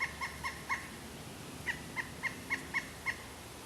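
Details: Pileated woodpecker uttering two bouts of sharp, repeated kuk notes: four quick notes, a short pause, then a steadier run of six more.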